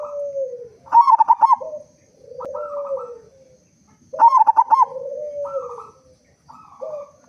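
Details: Big-voiced local zebra dove in full song, played to lure other doves into singing; rippling staccato coo phrases about every three seconds, each trailed by long even hoots.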